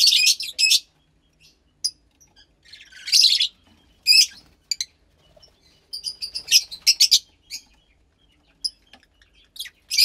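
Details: Fischer's lovebird chick about 15 days old, captive, from lutino and pastel blue parents, producing scattered buzzy chirps and short rasping pulse trains with long quiet gaps.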